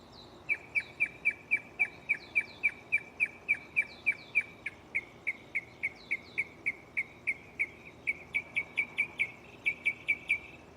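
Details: Mockingbird in a tree at night mimicking a catalog of songs: a steady run of sharp, high chips, about three or four each second, switching to a new repeated note pattern every few seconds.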